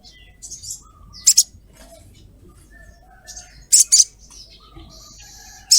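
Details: Female ruby-throated myzornis calling to a male: sharp, harsh high 'cret' notes, single or in quick pairs, separated by pauses of a few seconds, with faint thin whistles from other birds in the background.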